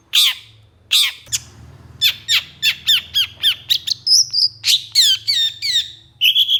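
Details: Long-tailed shrike singing an energetic mimicry song full of other species' calls: harsh downslurred squawks, then a rapid run of sharp chirps and whistled notes near the top of the range, about three notes a second.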